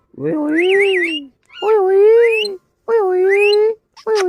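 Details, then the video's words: Pet parrot indoors imitating a cat, giving three drawn-out, wavering meow-like calls, each about a second long, with warbling upper tones and short gaps between them. "Mera Tota katna acha bolta hy Funny parrot"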